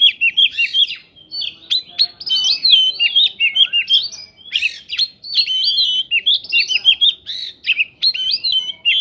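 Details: White-rumped shama singing a dense, continuous stream of varied whistles, slurred notes and sharp chips mixed with mimicked prinia phrases, kept up to make other birds respond, with rapid pitch jumps and few pauses.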